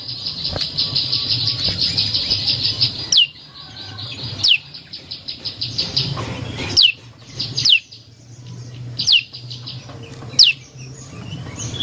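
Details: Prinia song used as a lure for other birds. A steady high insect-like hiss fills the first few seconds. Then come crisp, high, down-slurred notes spaced about one to one and a half seconds apart, with soft chattering between.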